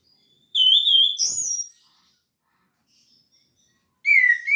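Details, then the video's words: Orange-headed thrush in full gacor teler song, meant to prompt reluctant birds to sing: a clear, high, sustained whistle, a sharper upward note, then a silent pause before a fresh bright whistle. "Anis Merah Gacor Teler full materi"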